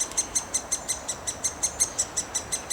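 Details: Great spotted woodpecker (Dendrocopos major) chick, about 10 days old, begs to be fed with its head out of the nest hole: rapid, even, very high sharp chirps, five or six per second; faint hiss. Park in Wrocław, Poland, 16 May 2024.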